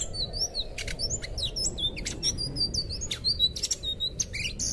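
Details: Song of an anis biru (blue thrush, also called selendang biru), played as a master recording to train young birds: a rapid, continuous stream of high, thin chirps and short whistled slurs over steady low background noise.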